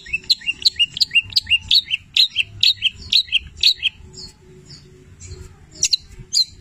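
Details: Long-tailed shrike singing in 'petir' style with labet and canary mimicry fill-ins: a steady series of sharp downslurred whistled notes about twice a second, then a brief pause and a few scattered high chirps.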